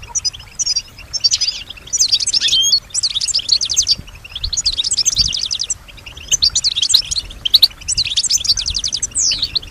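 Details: Female European goldfinch kept caged, singing and imitating sounds around her; bursts of rapid rattling trills about a second long, separated by short pauses, repeated six times.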